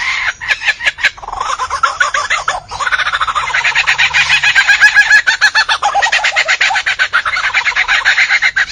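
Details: A bird, said to be from Tamil Nadu, India, sings a steady, rapid run of harsh, clucking notes, nearly four per second, sustained throughout with a slightly rising and falling pitch.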